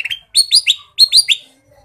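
Ruby-throated bulbul giving bright, sharp chirping notes in two quick groups of three, high-pitched and ringing, with nothing else heard.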